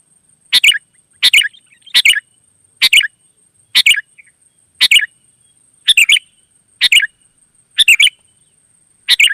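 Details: Sooty-headed bulbul in the wild, singing a steady run of ten short, rich chattering phrases at slightly uneven spacing, with a thin continuous high-pitched tone behind.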